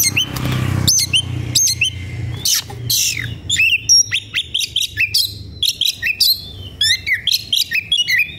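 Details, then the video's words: Agitated Oriental magpie-robin, eager to fight a rival, pours out a dense song of harsh rasping notes, sharp whistles and rapid chips in a steady stream. A low hum sits under the start. "Suara kacer gocor dan emosi cari lawan tarung"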